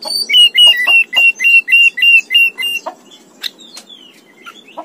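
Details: Oriental magpie-robin (kacer) song used as a masteran training recording: a loud series of about nine repeated clear whistled notes with sharp attacks, then scattered softer chips and whistles.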